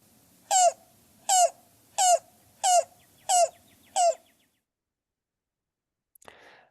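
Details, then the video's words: Yellow-billed Cuckoo song: six hollow, knocking notes, evenly paced about every two-thirds of a second, then silence and a brief click. "And then the song you might be more familiar with in California, the song of the yellow-billed cuckoo."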